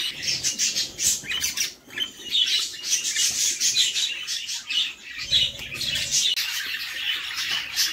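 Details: Begging of budgie chicks inside a nest box as the mother budgie feeds them: harsh, noisy, rasping bursts pulsing several times a second with brief dips between, high and hissy throughout.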